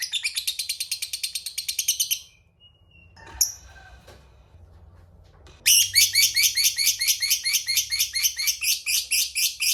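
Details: Long ngekek chatter from a fighter lovebird, meant to provoke rival birds: a two-second burst of rapid high chirps, a quiet pause with one faint squeak, then a longer loud run of rhythmic shrill notes.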